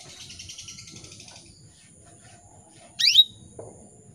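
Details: Female canary calling to males, used to stimulate male canaries: a faint rapid high chirping trill, then one loud sharp chirp sweeping steeply downward. Low rumbling noise runs underneath.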